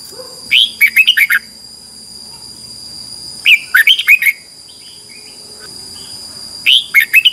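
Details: Red-whiskered bulbul singing competitively in the morning in the intense 'ché' style, used as a lure to train birds: three short bursts of rapid, bright chirped notes, roughly every three seconds, over a steady high-pitched hum.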